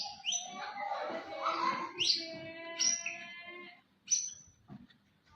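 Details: White-rumped shama, a contest champion, singing a varied phrase of rising whistles and rich warbled notes, then a brief pause and a sharp upward whistle; faint background murmur.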